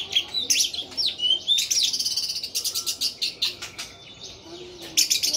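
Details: Orange-headed thrush singing persistently: loud, varied bursts of high whistles and rapid chirps, with sweeping slurred notes and quick trills in short phrases separated by brief pauses.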